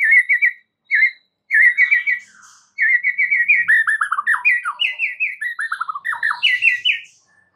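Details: White-rumped shama song used to coax a mute bird into singing: short clusters of quick notes, then a long rambling series of descending whistled slurs climbing in pitch toward the end.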